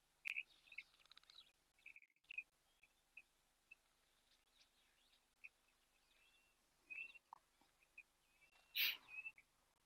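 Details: Superb starlings bathing at an African waterhole on 30 July 2024 give scattered short, high chirps and squeaky notes every second or so, with a harsher, louder burst near the end and faint background hiss.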